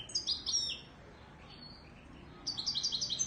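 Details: A Moroccan Widani (Marrakech-type) European goldfinch sings quick, liquid twittering phrases of high, tinkling notes in two bursts separated by a short pause; faint background hiss.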